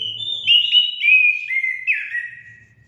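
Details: Song of an orange-headed thrush, used as a prompt for caged birds: a sequence of sliding whistled notes descending in steps, each starting sharply, with a faint low rumble in the background.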